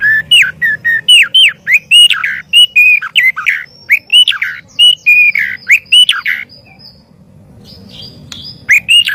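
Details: White-rumped shama song as training master audio: a long, fast series of clear whistled notes, many bending down, delivered almost three per second, pausing briefly before resuming at the end.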